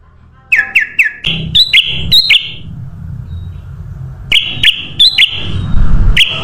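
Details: Sooty-headed bulbul song played to draw in birds: groups of three or four clear whistled notes, each flicking up, in two bursts with a pause between, over a low rumbling background.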